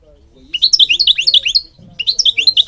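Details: Goldfinch from Morocco singing: two rapid runs of bright, high, tinkling notes, each slurred downward then up, with a brief gap between runs.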